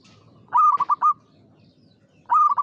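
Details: Local zebra dove that sings often, giving two soft, rolling cooing phrases of quick stuttered notes, each starting with a longer coo and breaking into a short trill, with a pause between.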